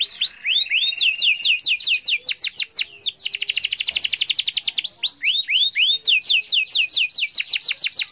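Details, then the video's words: Long rolling canary song aimed at a rival: loud curving whistles speed into a very fast buzzing trill, then return to quick repeated sweeping notes, sustained throughout. "SUARA BURUNG KENARI GACOR NGEROL PANJANG MEMANGGIL LAWAN"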